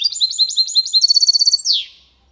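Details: Clean song of a mixto, a goldfinch-canary cross, in the Málaga copy style, sung to stimulate hens and teach youngsters. Fast high twittering trills end in a descending buzzy slur, then silence.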